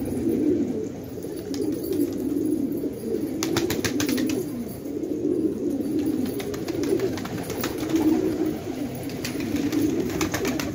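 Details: Flock of fighting pigeons at Khan Abad, village Afghanistan, cooing low and continuously while repeated bursts of clattering wingbeats and flapping sound throughout.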